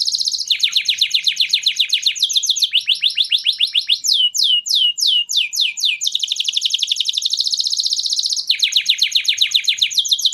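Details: Canary song used to prepare females for mating: loud, fast high trills and rolls delivered in long runs, switching midway to a burst of sweeping downslurred whistled notes, then back to rapid repeated trilled phrases.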